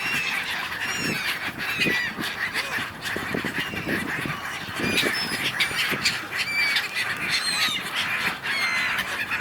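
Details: A noisy gull flock on the Dnipro River, Kyiv, Ukraine, in January: overlapping squealing and yelping calls, many short rising notes, amid steady crowd-like chatter.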